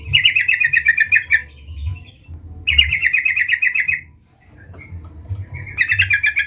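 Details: Yellow-vented bulbul calling to a rival, lively and loud: three rushing phrases of quick bubbling notes, each about a second and a half, spaced by short silences over low rumble.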